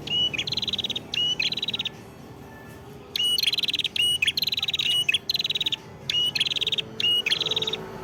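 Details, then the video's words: Red-headed prinia singing vigorously in Ngawi, East Java: loud buzzy rattling bursts alternating with short clear whistled notes, phrases separated by brief pauses, quiet rural background. "mp3 Suara Prenjak Kepala Merah Gacor"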